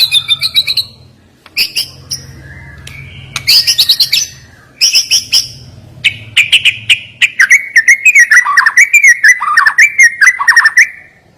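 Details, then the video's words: Sharp, high-pitched white-rumped shama song: rapid repeated chip series in bursts, a faint low hum early on, then a long rolling run of warbled whistles that gradually lowers in pitch. "Ngeri Isian Murai Batu Ini Nembak Tajam"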